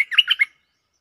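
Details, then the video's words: Bulbul on a lure recording giving a brief, rich warble of four or five quick, rolling notes lasting half a second. "Suara pikat merbah lekir gacor"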